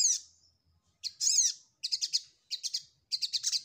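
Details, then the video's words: Ruby-cheeked sunbird singing while seeking a rival: high, thin chirps in short bursts of three or four quick notes, with pauses of about half a second between bursts, after an opening slurred twitter. "Suara SogokOntong mencari Lawan"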